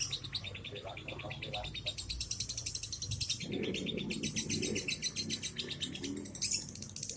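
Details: Baby lovebird in a long ngekek run, a rapid, steady rattle of shrill repeated notes, with a man's voice murmuring in the middle.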